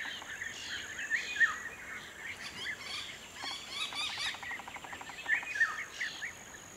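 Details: Little ringed plover recorded on 5 June 2021, giving short, clear piping notes in pairs a few seconds apart, over a busy background of chattering and twittering from other birds.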